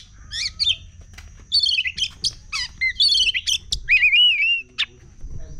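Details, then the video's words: Sumatran oriental magpie-robin singing quickly and excitedly, a mix of harsh scratchy notes, chattering bursts and clear whistled slides, including a long wavering whistle near the end, delivered in uneven rapid phrases. "SUARA KACER CEPAT EMOSI"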